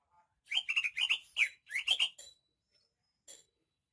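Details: Greater green leafbird from Banyuwangi sings a lively phrase of quick, warbling whistled notes in several clusters, rising and falling in pitch, ending with a single brief high note after a pause.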